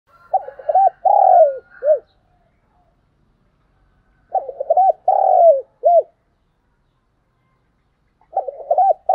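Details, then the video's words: Spotted dove used as a lure bird to draw in wild doves, giving its cooing call: low, hollow phrases of a few short coos, a long falling coo and a final short note, repeated about every four seconds. "tiếng chim cu gáy mồi thúc và gáy gọi bổi new nhất, dùng kích bổi tập mồi"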